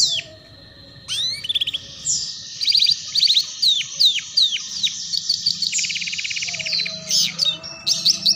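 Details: Singing canary on a training recording for young canaries learning the ngeriwik sound, with downslurred whistles, a run of quick falling notes, and fast rattling trills between high chirps.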